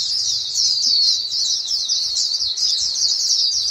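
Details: Flock of white-eyes calling to each other, female birds used to stir males into singing: a dense, unbroken stream of high, thin twittering notes overlapping throughout, with no other clear sounds.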